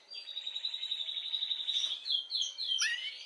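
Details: Canary song for rousing females to mate: a steady rapid trill at one pitch for about two seconds, followed by quick varied whistled notes and a sharp high flourish.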